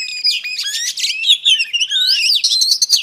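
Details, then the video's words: A female Oriental Magpie Robin sings to stimulate males, giving one loud, unbroken run of slurred whistles and fast chattering notes. "Than mái hót kích trống Oriental Magpie Robin Female"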